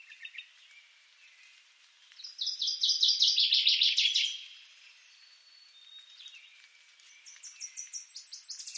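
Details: Northern waterthrush song: a loud, emphatic two-second burst of rapid, ringing repeated notes that accelerates toward the end. Quieter background chirps are heard before it, and a series of high, thin ticking notes comes from other birds afterward.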